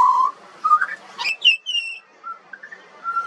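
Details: Juvenile pied butcherbird, an Australian songbird, singing: a steady low whistle, short slurred notes, a sharp higher rising whistle with harmonics, then soft spaced whistles fading out.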